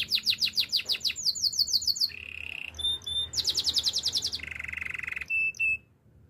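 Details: Singing canary, Spanish Timbrado song meant for training: quick falling whistled notes in series, a low buzzy churr, clipped high pips, a loud rapid rattle, another buzzy roll and short pure whistles before falling silent.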